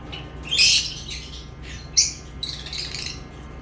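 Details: Lovebird calls: a harsh, broad squawk, then a second sharp burst and softer scratchy chatter, over a low background hum.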